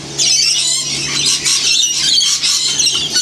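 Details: Wild lorikeets at St Clair, Australia, feeding in winter near the Blue Mountains; a dense, continuous chorus of shrill, grating screeches and squeals from many birds, with a faint steady low hum underneath.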